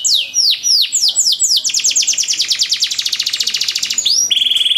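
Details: Training song for canaries with ornate phrasing: a run of sweeping whistled notes breaks into a fast rolling trill and ends on a steady high, rattling trill.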